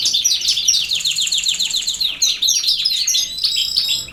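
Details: European goldfinch in field-style song: a fast tinkling series of high twittering notes, a rapid trill at first, then varied chirps and liquid slurred phrases.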